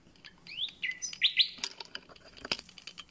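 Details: Common nightingale beginning its concert after arrival sings rising whistled slurs and two loud swelling notes, then breaks into sharp scattered clicks and ticks.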